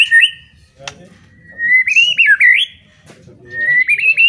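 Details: White-rumped shama singing a loud song meant to provoke other shamas into fiery, fighting song: clear whistled phrases with rising and falling slurs, a pause, then a further run of quick slurred whistles, with faint low background rumble.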